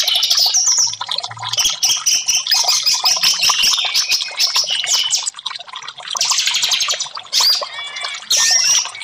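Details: Orange-headed thrush song played as therapy to get silent caged birds singing: dense, rapid warbling of high whistles and chattering notes, continuous with brief pauses near six and eight seconds, a few clear upslurred whistles at the end.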